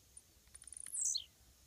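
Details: A Blue-black grassquit on a fence near a road sings a quick run of very high ticking notes that speed up, ending in one loud, buzzy, falling slur.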